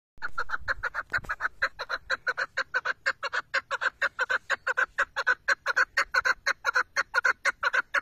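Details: Chukar partridge, a hunting partridge, giving a long, steady run of harsh clucking 'chuk' notes, about four per second, with a brief low thump near the start.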